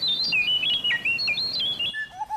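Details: Blue whistling thrush in Corbett National Park, India, giving a rapid run of sweet, high whistled phrases that slide up and down, ending abruptly with a lower, thinner whistle that sounds almost mechanical.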